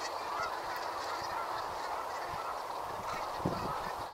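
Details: A flock of brent geese on the River Exe keeps up an unbroken babble of overlapping nasal, grumbling calls, fairly loud and even from start to finish, with one soft knock near the end.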